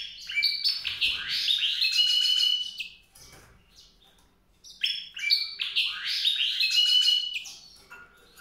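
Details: White-rumped seedeater singing two rapid, twittering phrases of high trills and slurred whistles, each about two and a half seconds long, separated by a short pause.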